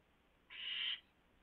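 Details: Single harsh, steady hiss about half a second long from an owl at the nest during a food delivery, 4:09 AM, 4 May 2016.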